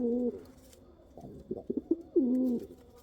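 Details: A pigeon gives a drawn-out low coo, then a few short stuttering notes, then a second swelling, rolling coo that fades away.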